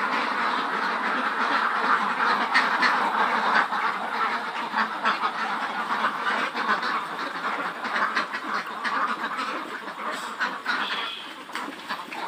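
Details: Large farm flock of Khaki Campbell ducks, about 400 birds over 110 days old, at Muktagacha, Mymensingh; a dense, continuous chorus of overlapping nasal quacks, steady throughout and easing slightly toward the end.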